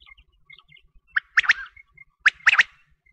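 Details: Quail heard during wheat-season hunting calls: two crisp, sharp, stuttering note groups about a second apart, over faint scattered high pips.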